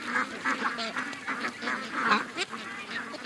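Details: Ducks and geese from a flock of over 700 heading to the lake on an August 2015 morning; softer, sparser separate quacks and honks, a few distinct calls standing out against quieter chatter.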